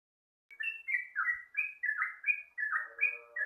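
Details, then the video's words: Sooty-headed bulbul singing at dawn, used as a lure: a bubbly chain of short, liquid whistled notes that rise and fall, delivered quickly and without pause. "pancingan suara burung trucuk diwaktu subuh"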